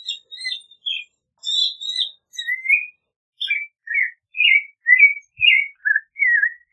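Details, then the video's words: Song of a clay-colored thrush: high thin chips and warbles open the passage, then a steady run of rich whistled phrases, slurred up and down, delivered quickly with brief gaps. "Clay-colored Thrush Singing! Clay-colored Thrush Calling! Sound! - Zorzal Pardo Canto - Turdus Grayi"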